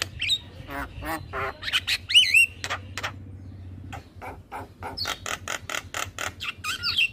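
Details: Male Javan myna performing energetic 'gacor' song for bird training: wavering slurred whistles, grating rattles and a long string of sharp clicks toward the end, with a low hum in the background.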